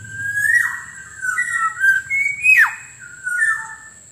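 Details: Black-naped Oriole lure sound for attracting wild orioles: a series of clear, fluty whistles, some rising and some falling, with a sharp downward-swooping note in the middle and a faint, steady high-pitched hum throughout.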